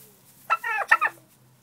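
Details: A turkey in a barn gives two quick, harsh, harmonic call bursts close together, with a low steady hum behind them.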